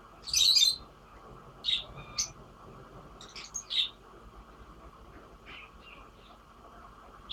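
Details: Singing lovebirds giving separate shrill, squeaky chirps, a loud burst at the start and several more spaced a second or so apart, with quiet gaps and faint softer chirps later.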